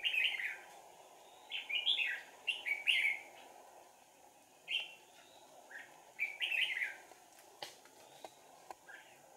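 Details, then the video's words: Red-whiskered bulbul decoy at a trapping site, 4 April 2019: bursts of rich warbled whistles in quick clusters, pausing between phrases, with faint clicks and steady background hiss. "Bẫy chào mào Sàng cầu - đánh đuôi"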